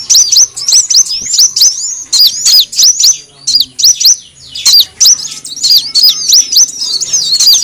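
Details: Lure sound of the kolibri wulung sunbird: a steady stream of piercing, high chirps with quick downward-then-upward inflections, delivered in rapid runs with brief breaks.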